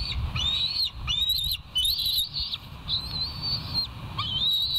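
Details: Bald eagles at the West End nest, filmed by a live nature camera on the morning of 17 August 2023; long, thin whistled whines, each about a second, repeated back to back over steady background hiss.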